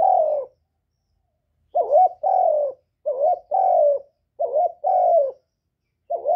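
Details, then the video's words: Spotted dove calling and cooing to stimulate newly kept doves, recorded directly with no background noise. Steady run of about four two-part phrases, each a wavering lead note and a longer sliding coo, repeated every 1.3 seconds. "Tiếng Chim Cu Gáy Hạp Bổi Gáy Gọi + Thúc+Gù kích bổi mau nổi"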